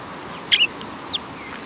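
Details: Sparrows at a Tenmangu shrine on 15 March 2022: a sharp, bright double chirp, then two softer, thin chirps about half a second apart against a faint steady hum.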